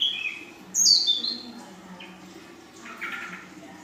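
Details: Young female ashy drongo in full isian song: a sharp high whistle sliding downward, a short upward flick, then a softer buzzy rasping phrase against a faint low hum.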